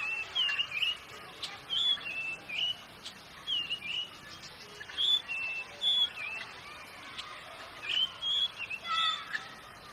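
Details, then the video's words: Oriental magpie-robin (kacer) singing vigorously: a run of short clear whistled phrases, each slurred up or down, given in bursts about every half second to a second, over a faint steady hiss. "Burung Kacer Gacor"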